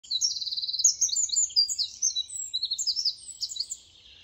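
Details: In a riverside floodplain forest with lush undergrowth and deadwood, a Eurasian Wren bursts into a loud, very high song of rapid tinkling notes and fast rattling trills, pouring out for about four seconds without a break.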